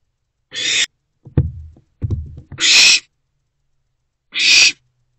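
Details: Owlet in a nest box in the small hours of 24 April 2024, consuming a large rodent. Three harsh, breathy screech-hisses come at uneven gaps, with low rustling and scraping from movement in the box between them.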